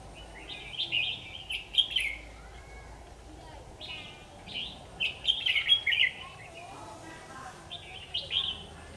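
Red-whiskered bulbul giving short, bubbly, whistled phrases every second or two, chirpy and mid-high, over a steady background hiss.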